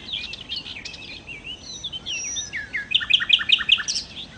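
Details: Nightingale singing: a varied, scratchy twittering opening, then a loud, quick series of about six ringing, repeated notes.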